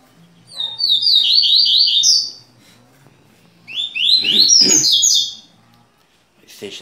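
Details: A double-collared seedeater indoors in Rio de Janeiro gives two bursts of rapid, high, slurred chirps, each over a second long, separated by a pause, over a faint low indoor hum.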